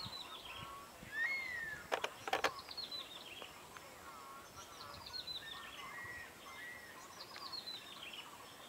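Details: Crested serpent eagle soaring in courtship season, Baguashan, Taiwan, 27 March 2017, 10:19 am, giving loud, clear whistles that slur downward in a loose series, with a few sharp clicks and steady background hiss.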